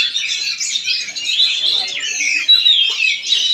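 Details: Continuous high warbling and sweet, sliding whistles from a caged Oriental magpie-robin in Palangkaraya, Central Kalimantan, broken by quick chips and a brief pure whistled note.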